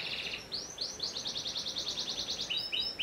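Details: Singing panda canary: a doubled trill, then a series of rapid upslurred whistles in a rolling run, ending with paired chirps at two pitches.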